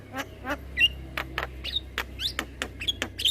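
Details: Black-winged myna in long rolling song for training other mynas: spaced clicks and short squeaky whistles, a rising slurred note midway, with a faint low hum.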